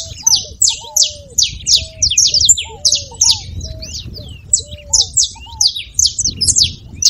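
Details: Repeated clusters of bright, high chipping notes sung steadily by a saffron finch, used to fire up a quiet canary; slow, lower whistled slurs sound between the bursts, with faint background hum.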